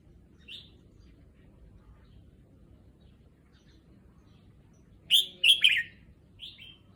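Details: Caged red-whiskered bulbul getting used to a new cage in a new place; a lone high chirp, then a quick burst of three rich warbling notes sliding downward, and a final soft whistle.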